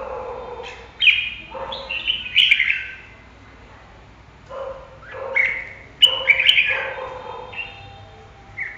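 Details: Red-whiskered bulbul singing lively bursts of mellow whistled notes, with short warbled phrases mixing higher slurs and lower fuller tones in clusters separated by brief pauses.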